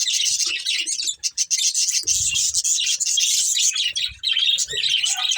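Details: A breeding pair of budgerigars chirps while eating: a continuous, high, buzzy warbling chatter with no real breaks and a few soft low thumps.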